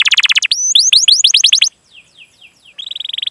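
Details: Canary chirping meant to prompt other canaries into song: a fast buzzy trill, then quick rising whistled chirps, faint descending notes, and another rapid rolling trill at the end.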